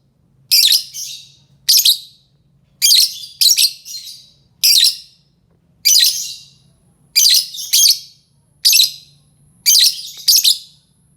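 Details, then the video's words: Lovebird calls used to lure other lovebirds: harsh, high, shrill chirping bursts, often in quick pairs, repeated about once a second against a quiet background. "Suara lovebird ampuh untuk pancing lovebird lain"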